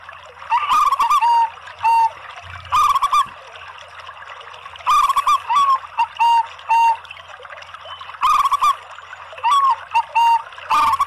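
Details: Local and Bangkok-type zebra doves cooing together as a lure for other zebra doves. Short rippling coo phrases, each ending in a few longer notes, repeat about every two to three seconds over faint background noise and clicks.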